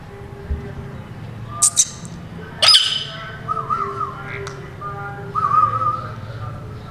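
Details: Rose-ringed parakeet, a green ringneck, walking about in a very happy mood: a few sharp, harsh screeches, followed by wavering whistled notes held at a steady pitch, in a quiet room.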